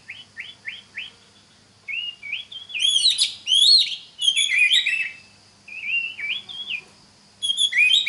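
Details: Oriental magpie-robin song meant to help other magpie-robins learn: a run of short upslurred whistles, then loud complex phrases of sweeping, ringing whistles, followed by softer curling notes and a final bright burst.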